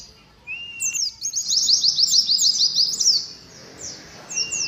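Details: Oriental white-eye, caged among a colony, singing ngalas: after a short, level whistle comes a fast, evenly paced series of high, sliding chirps, then softer scattered notes.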